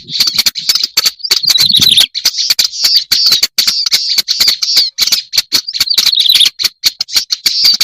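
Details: Black-browed reed warbler on a tested lure recording: an almost unbroken stream of grating, chattering high notes studded with rapid clicking ticks, with only a few short breaks.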